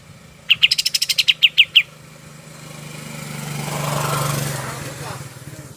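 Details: Golden-bellied gerygone song meant for training other birds: a brief volley of high, thin down-slurred notes, then a passing vehicle's engine swells and fades.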